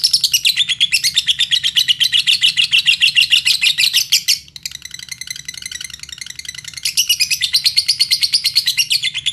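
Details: Indonesian lovebird used as a lure for other lovebirds to sing: long bursts of rapid, buzzy chatter, a quieter ticking passage midway, then the loud pulsing chatter resumes.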